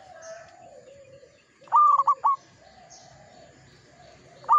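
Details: Local zebra dove (perkutut) in active song: a ringing three-part phrase of one long and two short whistled notes, and the start of another at the end, over soft, low background cooing.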